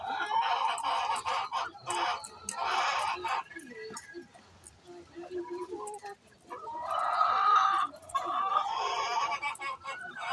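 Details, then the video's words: Chicken making its pre-laying noise: bursts of raucous, harsh squawking, a quieter stretch of low clucks in the middle, then more loud drawn-out cackles. "Chicken makes noise before laying eggs"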